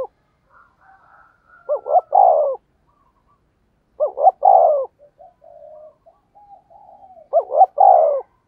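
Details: Decoy spotted dove cooing to draw in wild doves. Three spaced phrases, each a pair of short rising hoots ending in a long, falling coo. Quieter murmured coos fill the gaps between them.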